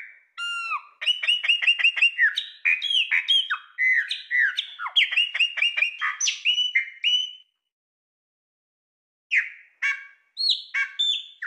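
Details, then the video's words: Birds of the Brazilian Cerrado sing brightly and variedly in rapid runs of clear whistled and chattering notes, some rising and falling sharply, with a pause before shorter phrases resume. "CANTO de AVES do CERRADO BRASILEIRO"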